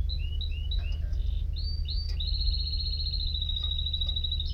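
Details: Singing canary opens with short paired whistled notes and rising slurs, then settles into a long, even, rapid trill held on one pitch, with a steady low background hum.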